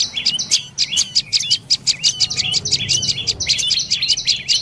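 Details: A dark-necked tailorbird chattering in dense, fast series of shrill chirps, notes tightly packed and continuous, with faint low background rumble.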